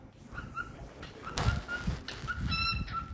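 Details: A happy pet cockatiel singing: short clear whistled notes, some rising, repeated through the clip, ending in a brighter, richer whistle over a low household rumble.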